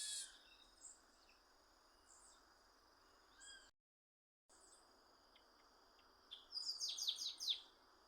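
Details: Chestnut-capped blackbird singing in the wild. Scattered short high chirps come first, then a loud rapid burst of repeated descending high notes near the end. A steady high insect drone runs throughout.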